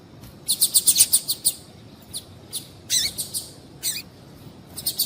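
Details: Female double-collared seedeater calling, used to stir males into singing: a fast burst of high, sharp chirps early on, then scattered short high notes in small groups over a quiet background.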